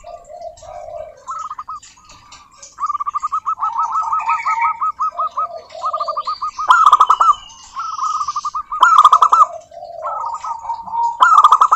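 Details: Local zebra doves singing as a lure for other doves: repeated rolling trills of soft coos, louder bursts roughly every two seconds, several birds overlapping at slightly different pitches.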